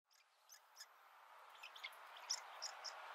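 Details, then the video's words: Woodpecker nestlings sticking their heads out of the nest for the first time to be fed give a rapid run of thin, high chirps and buzzy notes, several a second, over a steady background hiss. "Nestlings sticking out their head for the first time to feed"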